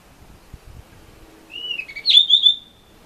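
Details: Blue rock thrush singing on a balcony in Misaki town on 14 April 2013, strong wind keeping it off roofs and utility poles; a short whistled phrase, a rising note, a low warble, then a sharp downward-sweeping clear whistle held briefly.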